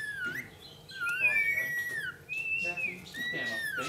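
A lorikeet gives a run of clear whistles, mostly long slurred notes near the top of its range that rise and fall, with softer chatter underneath indoors.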